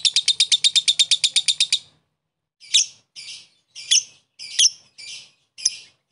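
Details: Lovebird fighter lure meant to trigger a rival's ngekek: two seconds of rapid regular shrill chips, then a series of separate rough squawky notes spaced about half a second apart.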